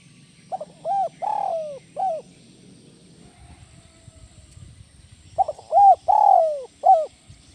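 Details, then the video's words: Tekukur, the spotted dove, repeating its 'kuk 1 melambung' call: soft stuttered notes, an arched coo, a long falling coo and a short closing coo, heard twice with a faint low rumble in the pause. "SUARA BURUNG TEKUKUR IDAMAN KUK 1 MELAMBUNG"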